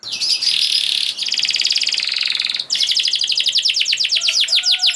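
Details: Canary song to coax silent canaries, with long harsh buzzy rattles that give way to a quick series of sweeping whistled notes.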